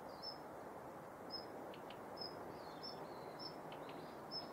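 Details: A female Daurian redstart active in the morning at Yanagishima Beach, Japan, 19 November 2021, gives thin, high whistled notes about every half second, with a few soft clicking tacks, over steady rushing surf or wind.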